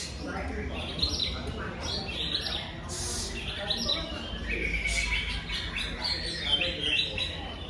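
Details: Greater green leafbird delivering its full repertoire, including imitations of the tengkek udang and jinjing petulak. Varied high whistles, chirps and short trills come in quick succession, with a low steady hum beneath.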